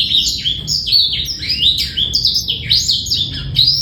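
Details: Clear song of a male black-throated canary, played to teach juveniles and bring females into breeding condition, with no rattle: energetic, unbroken warbling of high chirps and falling slurs at a rapid pace.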